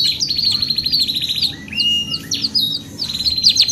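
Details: Canary song used as singing therapy: a steady high rattling trill, clear whistled notes and a rising slur, then another fast trill, bright and high-pitched.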